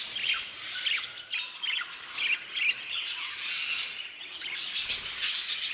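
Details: Aviary flock of budgerigars giving busy, overlapping chatter, with sharp squawks and thin rising chirps over a steady bed of warbling from many birds.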